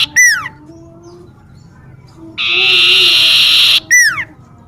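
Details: Common iora trilling in a garden near a home: falling whistles at start and end frame a long buzzy trill of about one and a half seconds.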